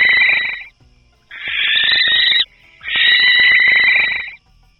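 A Barn Owl gives three long, harsh, hissing screams, each drawn out for about a second with brief gaps between them. No other sounds are heard.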